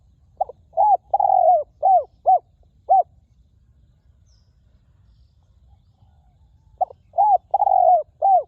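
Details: Spotted dove from the forest, a ground decoy bird with a ringing, clear voice, giving two phrases of about six coos each: brief clipped notes, one long sustained coo and arched downslurs, separated by a four-second pause.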